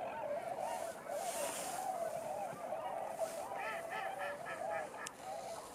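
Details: Flock of snow geese dropping in at night in late November, a dense continuous chorus of overlapping honking calls, with a steady background hiss.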